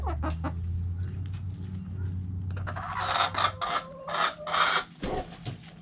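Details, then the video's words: Hens and roosters kept in a backyard coop. After a quiet start with a low hum, a burst of loud, broken, harmonic clucks and squawks arrives in uneven pulses through the second half. "Sounds Noises Hens Clucking Roosters Crowing!"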